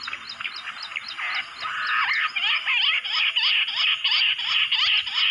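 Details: Bush quail in jungle, called in with a mobile phone: soft rough chatter grows into a steady series of loud, squealing, rising-falling notes, several per second, overlapping as more birds join.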